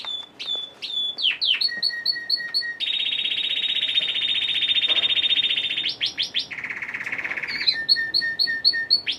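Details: Caged male Red Factor canary, orange rather than red, singing early in the morning: loud, rapid repeated chips, then a long rolling trill, sharp downslurred notes, a lower buzzy trill and further quick chip series.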